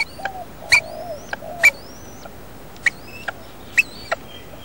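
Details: Wild Rainbow lorikeets nesting in a house roof: as the male arrives to feed the incubating female, begging gives sharp clicking ticks about once a second, thin high squeaky whistles and a few lower wavering notes.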